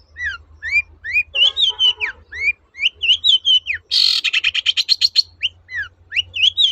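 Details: Long-tailed shrike in song, intended to make quiet shrikes sing again: repeated whistled rising-and-falling slurs, a burst of harsh nasal chatter, a rapid rattling series, then more whistled slurs, over a low hum.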